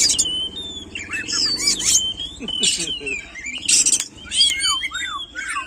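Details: Oriental magpie-robin (kacer) singing a rich, varied run of clear whistles, slurred rising and falling notes and a few harsh chattery bursts, said to provoke other magpie-robins into singing; people talk quietly underneath.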